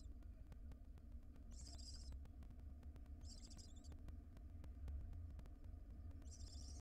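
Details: Wild barn owl nest box as the mother arrives with a ring-necked parakeet as prey. Three fainter hissing screeches, each about half a second, are spaced well apart against a persistent low rumble.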